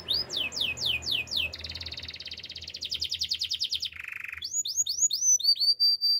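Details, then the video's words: Canary song used for training: a series of quick downward-sweeping whistles, then a fast bright trill, a lower buzzy roll, and finally repeated up-hooked high whistles, each phrase changing abruptly to the next. "Beautiful voice of canary birds"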